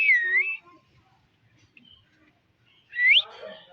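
An Alexandrine parakeet gives two loud, clear whistled calls about three seconds apart: the first dips and rises, the second sweeps sharply upward into a rough trailing note.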